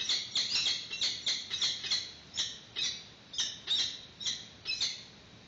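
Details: Peregrine falcons on a nest webcam in March 2019, adult arriving with a yellow bird for the chick's first feed: harsh, high chattering calls repeated about once a second in an uneven series, each note rasping and loud.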